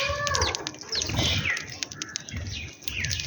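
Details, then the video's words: Sparrows chirping in the morning while eating food: a busy mix of short, sharp tweets and rapid downward chirps from several birds, with low rumbling background noise. "Sparrows Chirping Sound/ birds food eating / birds chirping/Morning scenes"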